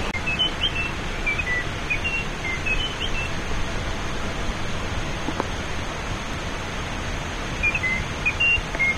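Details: Munchique Wood-wren song, a species restricted to the Pacific slope of the highest peaks of Colombia's Western Andes: a quick phrase of clear, high whistled notes repeating after pauses of several seconds, over a steady rushing background like wind or water.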